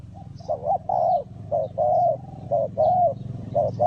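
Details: Spotted dove, recorded while luring wild doves for trapping, giving a steady run of mellow, slightly rising-and-falling coos with a low hum in the background.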